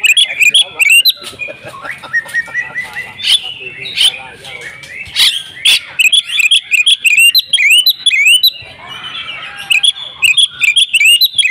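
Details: Oriental magpie-robin singing hard in fighting mode, unloading its repertoire: rapid streams of sharp whistled chirps and upward flicks, repeated in quick bursts over a ringing high tone, with brief harsher buzzy passages.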